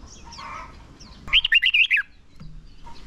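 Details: Red-whiskered bulbul decoy song used to lure wild birds and train contest singers: a short burst of about seven loud, bright, warbled notes rising and falling, preceded and followed by faint background chirps.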